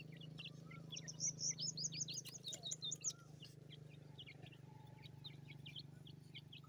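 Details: Newly hatched grey francolin (teetar) chicks: thin, high peeps repeated rapidly, with a denser burst of louder down-slurred cheeps near the middle, over a steady low hum.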